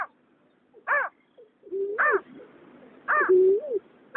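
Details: Water rail pair, male and female, recorded in 2021: short, arched, harmonic notes alternate with longer, low, level whistles that rise at the end, over a slight background hiss.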